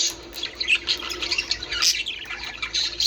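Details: Budgies chattering, aimed at stimulating breeding: softer, patchy high chirps and squeaks with short bright notes, quieter than the surrounding sounds.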